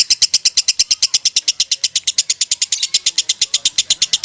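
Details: Lovebird singing konslet: a dense, regular stream of sharp, high-pitched chirps at roughly eight per second, loud and continuous throughout.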